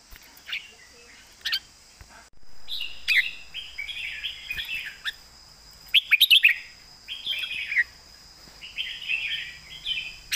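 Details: Southern master-song style from a red-whiskered bulbul: after a short gap, a run of bubbly, liquid warbles, then a cluster of sharp bright notes and more rolling phrases, with a continuous shrill hum in the background.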